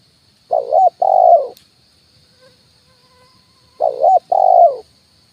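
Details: Lure call of a spotted dove, 'kuk 1' style, on a branch and the ground: a pair of two-note coo phrases roughly three seconds apart, quavering then steady, with a faint click and weak high notes between.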